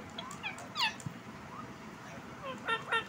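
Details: Pet desi ringneck, a rose-ringed parakeet, talking and dancing: a few scattered, short harmonic squawks and chattering notes over a hissy, low background.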